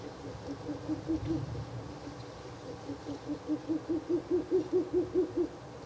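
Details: Third night of nest-box visits, 16 April 2024: a Ural owl gives a short run of hoots, pauses, then a longer run of about thirteen fast, low hoots that build in strength.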